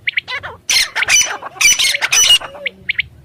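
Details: Desert francolin, wild, in a Pakistani desert area: short high notes, then loud, dense, rasping squawks clustered in the middle of the clip, ending with a few thin notes.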